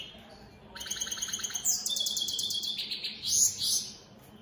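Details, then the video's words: A European goldfinch, opal split satiné mutation, kept caged, pours out a rapid chattering song of fast repeated buzzy notes and bright high twitters in one sustained phrase. "Opal split Satane goldfinches siging"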